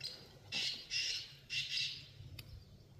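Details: Wild black francolin giving a harsh, grating phrase of four rasping notes over about a second and a half, against a low steady background hum.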